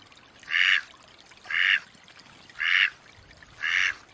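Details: Four strong, rasping quacks from a wild Mallard, spaced about a second apart, each broad and nasal with a clean, quiet pause between them.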